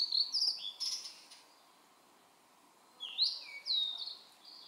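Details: Mount Maya, Japan, June 2017, Blue-and-white flycatcher in a gloomy valley: two bursts of loud sweet whistles, some sliding up and some down, with a buzzy note in the first burst and a pause between bursts.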